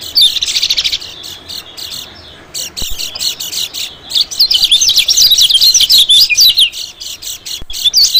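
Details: White-eye calls played as a lure to draw in small birds, mainly white-eyes: a dense, rapid, high-pitched twittering of quick slurred chirps, brief pause near the middle, then resuming busily.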